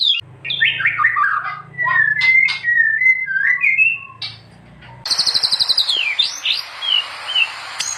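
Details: White-rumped shama (murai batu) song for tutoring other shamas: descending whistled notes and warbles over a low steady hum, then an abrupt switch to loud high trills and swooping whistles.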